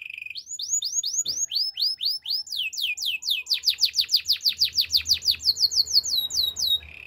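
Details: Russian canary singing a training song: a fast series of rapidly descending high whistled notes, then a quicker rolling trill of repeated downslurred syllables, each group repeated several times in a bright, clear sequence.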